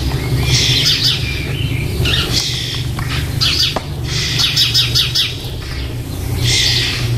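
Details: Young starlings in their nest box, soon to fledge, recorded on 4 May 2014: noisy chattering begging calls in uneven bursts, one sharp click midway, with low hum throughout.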